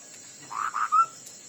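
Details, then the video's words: Ground hwamei in a fighting song contest, giving a brief phrase of two rough notes ending in a pure whistle, with a continuous high-pitched hum. "Họa mi đất hót đấu"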